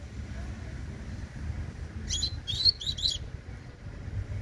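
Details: Young Double-collared Seedeater singing in the tui tui style: one short burst of four quick, high, sharp notes near the middle, with a steady low rumble throughout.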